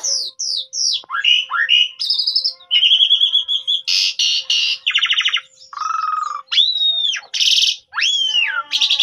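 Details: Black-collared starling (jalak suren) song used as a lure to get other birds singing: a varied, continuous medley of loud whistled slurs, buzzy rattles, harsh squawky bursts and descending whistles, phrases changing every second or so, recorded on a phone.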